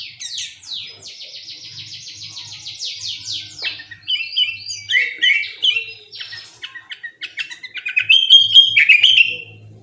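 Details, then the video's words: Sooty-headed bulbul song used as a lure to set other bulbuls singing: a loud, busy run of rapid trilled and chattering high notes, then a string of sharp repeated whistled phrases that swells stronger toward the end. "Pancingan Burung Kutilang Gacor Full Tembakan"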